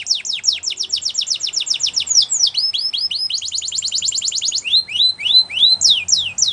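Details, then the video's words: Spanish Timbrado canary sings a training song of rapid steep descending notes in quick series, a close-packed rolling trill, then slower looping whistled slurs, over light background noise. "Spanish Timbrado Song For Training | Canary Singing"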